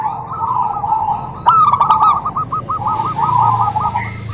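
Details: Local female zebra dove calling a rival: a long rolling trill of rapid coo notes after a sharp click burst, with a passing engine-like rumble and hiss.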